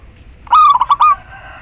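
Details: Female local zebra dove calling the male, used to lure males that have stopped singing: one cooing phrase of a wavering opening note, two or three clipped notes and a longer closing coo, over faint background hiss.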